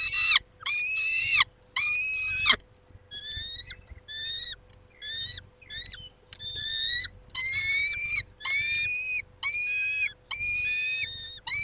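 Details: Male peregrine falcon at the nest with the females at 19:40: harsh grating calls at first, then a long series of shorter, clipped, rising whining notes given about once a second.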